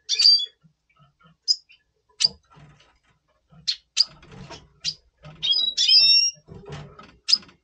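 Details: Red siskin of the double pastel colour mutation, recorded in November 2023 before breeding while in breeding mood: bright high chirps and short whistled notes, some with a twangy tone, come in loose bursts, with a low indoor hum beneath.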